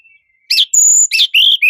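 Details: Sunda robin phrase of harsh chirps alternating with a long, even, very high whistle, ending in a lower whistled note and a final short chirp.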